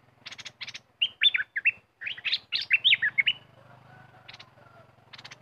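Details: Aggressive red-whiskered bulbul kept as a competition bird, described as very fierce this week, singing a burst of quick liquid warbled notes between harsh buzzy chatters, with a low hum underneath.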